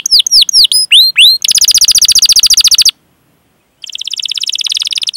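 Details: Singing canary, a master recording meant to stimulate young or silent canaries to sing. Looping chirps lead into a dense, buzzy rolling trill, then a pause of nearly a second, then a softer trill resumes.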